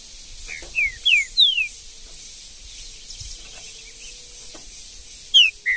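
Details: Green-winged saltator in the wild Brazilian bush, giving three loud downward-slurred whistles in quick succession, then a pause with faint ticking, and two more sharp descending whistles at the end.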